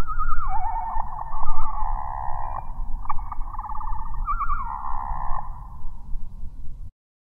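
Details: Male Anna's hummingbird (Calypte anna) song, natively scratchy and metallic, slowed eightfold: low, wavering whistles and rapid trills in connected phrases that sound like a larger bird, over a steady low rumble.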